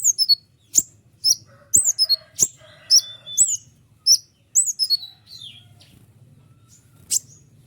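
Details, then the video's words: White-winged triller song, used as a training model for Indonesian honeyeaters and other trillers: sharp, high chirped notes with short downslurs, tightly packed at first, then thinning to isolated high chips. Faint low hum underneath. "konin sayap putih unik full nembak rapat tajam suara jelas"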